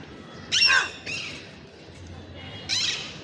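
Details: Ringneck parrot letting out a loud, piercing screech that sweeps downward, followed by a softer, shorter note and then a second shrill, raspy screech, all in a quiet setting.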